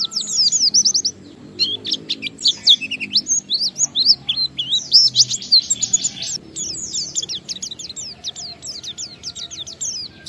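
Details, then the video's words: Oriental white-eye singing a lure song to start other white-eyes singing: long energetic stream of very high chirps and twitters, briefly pausing near the first second, then running on continuously to the end. "Suara Burung PLECI Ngalas sambung wiksar Bongkar Isian memancing semua pleci cepat gacor buka paruh"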